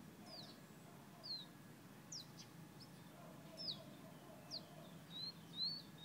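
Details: Whistling fire-red bird from Guyana: scattered high, sharp, downslurred notes and a few rising slurs, irregularly spaced over six seconds, fairly soft against a hissing background.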